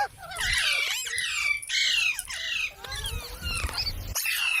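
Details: Parrot, a pet, giving loud harsh squawks and screeches in long rasping bursts with slurred high notes, nearly continuous.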